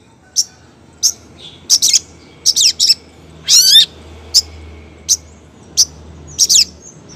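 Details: A female long-tailed shrike calls the male with spaced sharp clicks and short chirps, a wavering trill dropping in pitch midway, then more single clicks, over a steady low hum.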